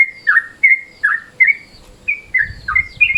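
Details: Yellow-vented bulbul in midday mode, a lure recording, gives slurred whistled notes alternating high and low. A faint low rumble enters near the end.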